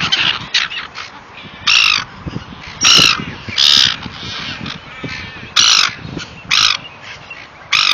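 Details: Seagulls while being fed: separate loud, harsh squawks with a whistled edge, each about half a second long and spaced irregularly, over a low murmur of softer calls.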